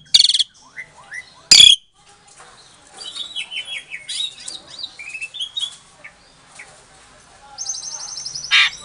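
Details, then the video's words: Asian pied starling bred in captivity in Klaten, Indonesia, singing to goad silent starlings into calling: harsh bursts open, followed by a quiet jumble of slurred descending whistles, then a long buzzy trill. "Suara Jalak Suren Pancingan, Jalak Macet Pasti Jadi Emosi Langsung Nyaut"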